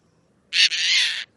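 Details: Caspian tern giving a loud raucous scream: one harsh, broadband, grating call lasting under a second, with a brief break near the start, against a quiet background.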